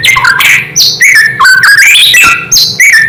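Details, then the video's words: White-rumped shama song used to provoke other shamas: rapid varied whistled phrases jumping between low and high notes, with short sharp upslurs and bright high notes, over a faint steady low hum. "Suara asli murai membuat murai lain langsung emosi"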